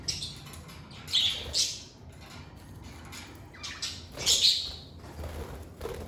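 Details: Pet lovebirds giving a few separate high, sharp chirps and squawks between quiet pauses, with a pair of bright notes early and a louder burst near the end.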